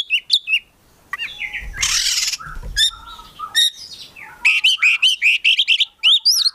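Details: Caged Oriental magpie-robin singing sharp chirps, a harsh noisy burst and whistled notes, ending in a fast run of repeated slurred chirps.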